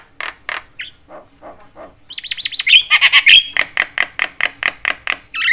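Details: Javan myna chattering to provoke other mynas: spaced harsh notes, a burst of high squeaky whistles, then a fast regular run of harsh rasping pulses.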